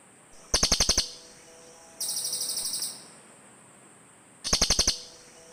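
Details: Cililin birds calling back and forth: a sharp, fast pulsed trill, a softer, longer run of even buzzy pulses in reply, then another sharp trill after a short pause.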